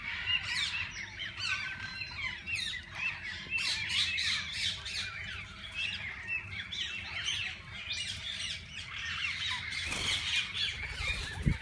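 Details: Walk-in aviary holding several kinds of parakeets: busy, overlapping chirps and squawks for about ten seconds, then a sharp broadband noise burst and a brief loud knock near the end.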